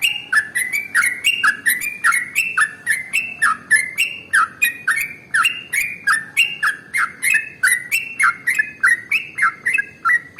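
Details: Sooty-headed bulbul, locally trucukan, singing a long continuous ropel song intended to prompt other birds to sing: quick chain of warbled, falling whistles with a faint low hum behind.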